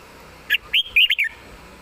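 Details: Red-whiskered bulbul perched and singing: a short, lively phrase of five clear whistled notes, the middle ones rising and falling in a quick warble.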